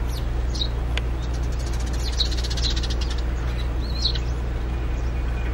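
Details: Eurasian tree sparrows, a pair building a nest in an old birdhouse and carrying straw; high chirps with a rapid rattling run of notes midway, steady low hum beneath.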